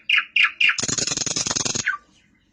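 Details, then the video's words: Three loud sharp chirps from a nightingale, then a rapid, loud, rattling churr of dense pulses lasting about a second, ending in a short downslurred note. "تغريد طائر العندليب"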